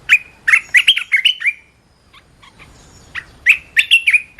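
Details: Red-whiskered bulbul song with fast strings of chirpy, slurred whistled notes in two bursts separated by a brief pause, each phrase bubbling and rising in quick succession.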